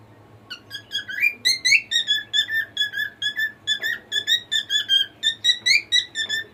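A cockatiel sings a fast run of bright, piping whistles with rising and falling notes.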